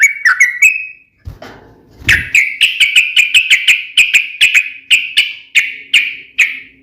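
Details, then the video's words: Sooty-headed bulbul fighting song meant to provoke rival bulbuls to answer: a few whistled notes, a brief low rustle, then a fast run of sharp, clear repeated chirps holding a steady pitch. "trucukan gacor SUARA TAJAM TARUNG ROPEL"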